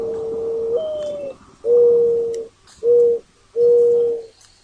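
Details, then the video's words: Mournful cooing from a mourning dove: an opening coo rising to a higher pitch, followed by three level, breathy coos of about a second or less, evenly spaced, with faint chirps behind. "mourning dove sound"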